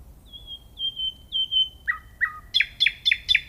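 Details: Nightingale song opening with three drawn-out pure whistles, two lower slurred notes, then four loud, evenly spaced sharp notes in quick succession.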